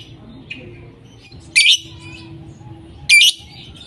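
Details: Lovebirds calling: two loud, harsh screeches about one and a half seconds apart over faint low background hum and softer chirps.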